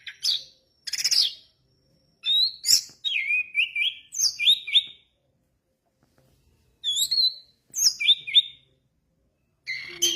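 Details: Orange-headed thrush singing energetically in 'gacor dor teler' style. Short chattering notes lead into repeated paired whistles that rise and fall, then a pause of two seconds, and the bird resumes with bright, varied phrases.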